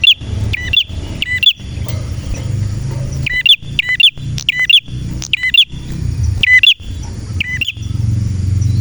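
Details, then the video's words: Male red prinia (prenjak merah) gives high clipped chirps in pairs and triplets with sharp snaps, over a steady low background drone like traffic. "Prenjak Merah Gacor cocok untuk masteran dan pancingan prenjak bahan ‼️prenjak birds singing ‼️"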